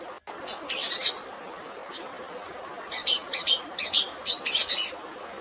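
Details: Long-tailed shrike singing a fighting song laced with sparrow phrases over running water: scattered high, scratchy chirps, at first sparse, then clustered into quick bursts.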